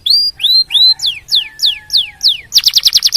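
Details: Canary song meant to stimulate other canaries to sing: rising whistled notes, then a run of steeply falling sweeps, a long thin tone underneath, ending in a fast buzzy trill.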